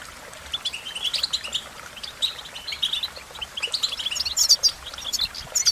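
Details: High, sweet twittering of an American goldfinch, softer chattering notes early building into brighter, sharper chirped phrases toward the end.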